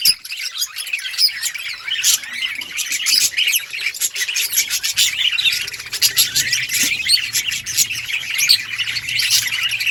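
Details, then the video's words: Parakeet chirping by budgerigars, a long unbroken stream of high warbles, clicks and twitters from several birds, with a faint low hum. "Budgies birds sounds parakeet chirping sounds"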